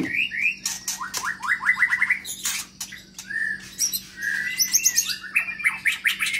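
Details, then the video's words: Caged white-rumped shama of the long-tailed Medan type, new to its keeper, sings in a large flight cage: rapid series of rising whistled notes, then long sweeping whistles, with dry clicking notes and a faint steady hum. "Senandung Kicau Murai Baru Medan Ekor Panjang Di Kandang Umbaran"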